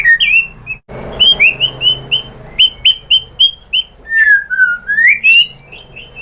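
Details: White-rumped shama singing to draw other shamas into song: a string of short, bright whistled notes repeated in quick succession, then a long, slurred whistle that dips and rises again.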